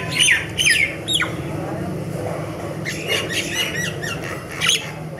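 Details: Myna song of sharp downslurred whistles and clicks, a quick cluster at the start, then scattered chattering notes and a final bright whistle, over low background hum.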